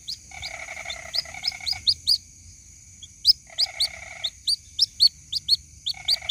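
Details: Chick of the white-breasted waterhen calling its mother, in a lure recording: fast sequences of high, upslurred peeps with brief gaps, accompanied by three stretches of a lower rasping pulsed chatter.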